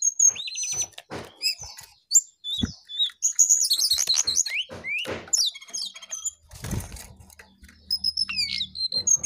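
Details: Jongkangan singing gacor: fast, varied high twitters, slurred whistles and buzzy trills, with a short thump and low hum in the middle.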